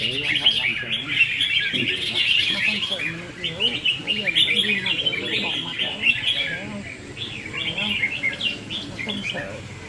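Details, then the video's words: Several Red-whiskered Bulbuls at a singing-contest practice in Vietnam on 15 May 2021 sing a busy stream of bright, chirpy, bubbling phrases at once, with faint voices in the background. "Chào Mào Đấu Hót"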